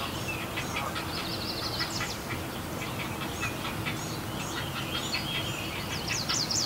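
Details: Great blue heron siblings squabble in rivalry, giving a dense, rapid clatter of harsh, clicking chatter that overlaps throughout against a steady low background rumble.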